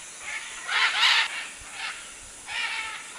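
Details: Macaws at a clay lick in the Manu area of the Peruvian jungle, 2008, among many macaws and other birds; harsh, raspy squawks in four bursts, two loud ones close together near the start, then two softer ones.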